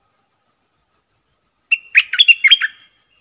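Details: A decoy streak-eared bulbul, kept to lure wild birds and tutor young ones, delivers one rich gurgling phrase of rapid liquid notes after a stretch of high, evenly pulsed cricket chirps.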